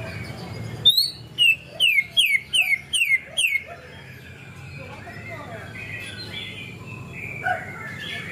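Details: Greater green leafbird singing material mimicking a canary: a quick run of about seven loud, sharp downslurred whistles evenly spaced, then softer rambling warbles with low background hum.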